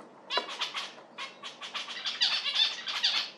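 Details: Zebra finch in a rapid, continuous run of bright nasal chattering notes, loud and close throughout.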